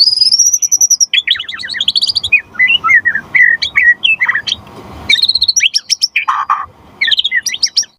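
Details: White-rumped shama in full song, used to make other shamas answer and as a tutor song. A very high sustained trill opens, then dense, varied warbling, a second high trill burst and closing chatter.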